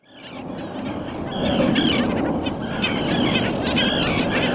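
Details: Nesting Black Skimmer family, two adults with two chicks, on Nickerson Beach, Long Island, New York, giving short, nasal, yapping calls in quick bursts over a steady roar of surf and wind.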